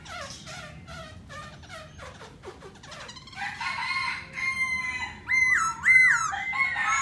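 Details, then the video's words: Black laughingthrush song: a soft run of rapid chattering notes, then louder sustained whistles and two looping wavering phrases near the end. "Khướu mun hót múa đỉnh"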